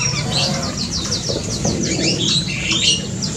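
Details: Black-and-crimson Oriole of the Sukabumi locality, Java, kept in an aviary and calling: a quick run of high, downward-sweeping chirpy notes repeated in a rapid series, then looser squeaky notes, over a low background rumble.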